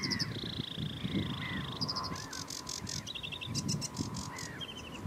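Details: Sedge warbler singing a fast, varied chatter: a long dry trill held steady, then clusters of clicking notes, short rattles and a quick ringing trill, with slurred lower whistles between phrases over a constant low rumble.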